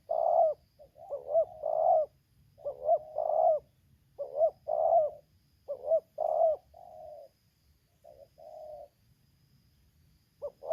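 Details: Cooing of a spotted dove in Lampung, a trapper's decoy facing a wild bird, in 'tarik akar selang nguku' style: a dense run of low, mellow, rounded coos, paired short notes with drawn-out rolls, close and clear over faint background hum.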